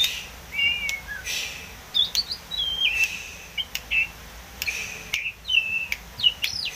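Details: Wild Oriental magpie-robin singing vigorously: clear whistled phrases, some rising and some falling or level, broken by sharp dry clicks, with short pauses between phrases over a faint hiss.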